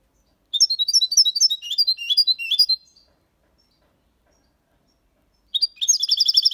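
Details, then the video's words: A six-month-old European goldfinch sings the Málaga copy song, colios, quejas and ornaments included, to stimulate young birds. A long burst of quick, high, chattering notes, a three-second silence, then another fast, ringing twitter. "Jilguero cantando Limpio 6 meses/ chardonneret chante la copia Malaga / Goldfinch singing"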